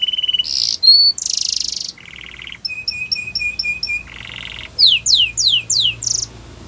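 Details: Russian canary flute song with varied phrases: a pulsed trill, buzzy bursts, a lower rattle, paired repeated whistles, another rattle, then upswept slurs about twice a second.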